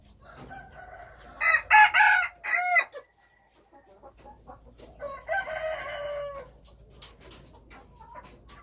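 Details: Two crows from wild chickens: a loud, broken crow in three bursts, then after a pause a second, more distant drawn-out crow, with scattered clicks and faint background sounds.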